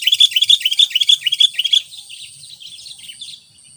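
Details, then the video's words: A lively lure sooty-headed bulbul pours out a rapid string of about fifteen bright, bouncing chirps in under two seconds, then fades into softer twittering and insect drone. "Burung kutilang pikat gacor..!!! Auto - kutilang liar penasaran guyss..?!"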